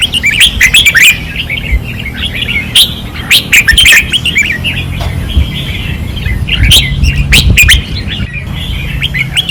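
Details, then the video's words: Fierce practice singing from caged red-whiskered bulbuls on a training perch, Pattani: rich warbled phrases and clipped chirps in uneven bursts, a brief quieter lull, then more song over low hum. "เสียงนกกรงหัวจุก ราวซ้อม ร้องอย่างดุเดือด"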